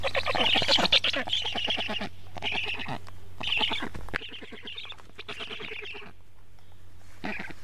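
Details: Wild black storks at a nest in Karula, Estonia, on 11 July 2017 at 10:31, seen on a live nest camera as an adult brings frogs to the chicks. Harsh, raspy, rapidly pulsed calls come in bursts, separated by brief pauses.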